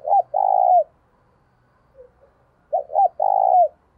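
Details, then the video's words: Decoy spotted dove cooing, used to stir other doves to coo: two phrases, each two short clipped notes then a long even coo that bends down at its end, with a faint soft coo between. "Tiếng Chim CU Gáy Mồi Gáy Sung - Dùng Kích Bổi Siêng Gáy"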